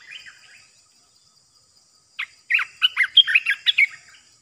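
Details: A caged decoy Olive-winged Bulbul, used for bird trapping, opens with faint soft notes, then after a pause delivers a loud, fast string of bubbly, warbling chirps.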